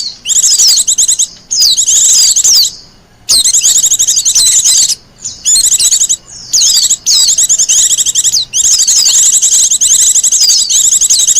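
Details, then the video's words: Wild Japanese white-eye, its song used for luring and as a master song, gives long runs of rapid, high twittering with swooping whistled notes between short pauses. "Suara burung pleci liar,cocok buat pikat dan masteran."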